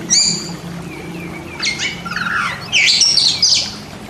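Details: Kept white-rumped shama (kacer) in therapy singing for birds that seldom sing: a thin whistle, then buzzy rising and falling slurs and a loud harsh burst of mixed high notes, low background hum.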